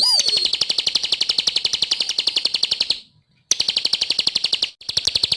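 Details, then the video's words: Bar-winged prinia (ciblek) singing vigorously for bird training. A falling whistle opens a fast, high, rasping trill of evenly spaced pulses, which is interrupted by two short silences. "Suara Burung | Ciblek Gacor"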